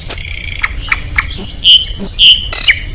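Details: Oriental magpie-robin competition bird singing at a contest: scattered sharp chirps and short clear whistles, some high and pure, others rising, with broad noisy bursts late on over a low background hum.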